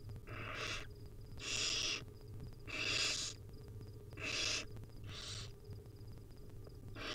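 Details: Nest-cam recording of hungry wild barn owl young being fed by their mother: five or six hoarse hissing calls, some longer and louder than others, roughly one per second, over a constant low electrical hum.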